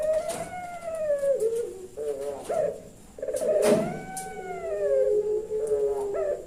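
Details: Turtle dove of the puter pelung type, Kebumen, Central Java, in the 'nembak-nembak' style. It gives two long, mellow coos that rise and then sag, each ending in short choppy notes, with a few sharp knocks.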